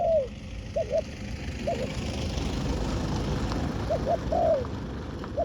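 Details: Spotted dove calling while wild doves are lured on the ground. A few scattered, short coos, some doubled and some drawn out with a falling end, come through steady engine-like vehicle rumble.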